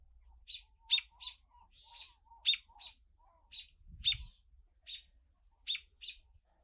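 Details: American robin; scolding call; mobbing a predator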